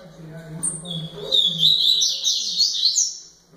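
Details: Double-collared seedeater song: a fast, twittering run of high, buzzy, warbled notes that starts after a short pause and keeps going to the end, over a low steady hum.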